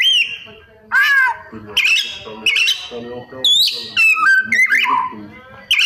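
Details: White-rumped shama pouring out a loud mimicking song, squawky rising notes, swooping whistles and fast stuttering phrases one after another, with no pauses longer than a moment.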